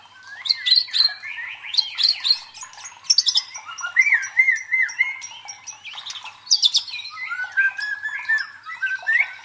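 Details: White-rumped shama song played to provoke and train competition birds: sharp high chattering bursts alternating with mellow rising and falling whistled phrases, repeated through the passage.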